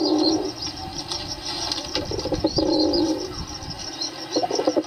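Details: Pigeons coo in low, rolling phrases at the start, mid-clip and end. High, sweet chirps of other birds are also prominent.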